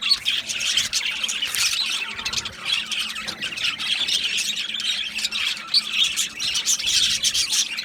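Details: Australian budgies in a steady chorus of harsh squawks and quick chirps, overlapping high scratchy notes forming an unbroken chatter throughout.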